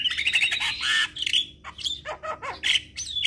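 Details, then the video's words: A captive jalak kebo (myna) sings a rapid jumble of harsh squawks, chattering bursts and a few lower whistles over about three seconds. It is played as therapy for stressed mynas that have stopped singing, every morning and evening. "Burung Jalak Stres Macet Bunyi"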